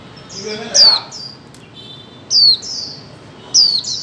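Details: Female white-eye giving calls to stimulate mute birds: three piercing downslurred chirps spaced over about three seconds, each trailed by lighter high notes.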